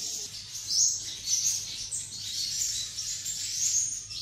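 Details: Captive sunbirds, filmed indoors at a keeper's home in Tân Phú, Đồng Nai, Vietnam, sing high, thin, rapid twittering trills and sharp chirps, several birds overlapping almost continuously, with faint indoor background noise.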